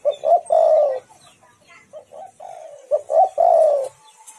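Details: Lure recording of a spotted dove meant to make rival doves call back: two low cooing phrases, quick clipped notes leading into a drawn-out, slightly falling coo, with quieter coos between them.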